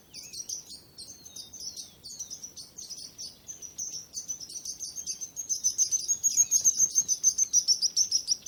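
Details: Bird song of varied high chirps and short trills that grows steadily louder, ending in fast, regular bright notes, with a faint rushing background.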